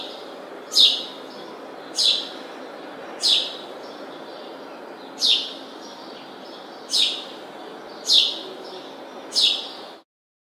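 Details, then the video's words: Seven clear, sharp chirps from a house sparrow, repeated roughly every one to one and a half seconds over a faint hiss, ending abruptly. "House Sparrow Noise"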